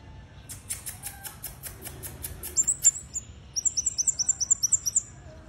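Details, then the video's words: Red-headed bunting, singing actively: a run of evenly spaced clicking ticks, then a few piercing high notes. It ends in a fast series of thin, high-pitched chirps repeated about twelve times. "Kemade Kepala Merah Gacor"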